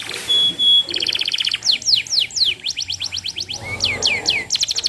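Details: Energetic canary song used as a lure recording to tutor young canaries: a brief steady whistle, then fast buzzy trills and quick downslurred notes repeated in rapid tours of about four per second, with faint low background hum.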